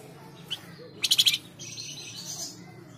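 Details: Flamboyan bird song used as a lure to prompt caged birds to sing, in a Tledekan Jati style: a faint high note, then a fast, loud, high trill of about six rapid notes lasting under half a second, then a thin hiss.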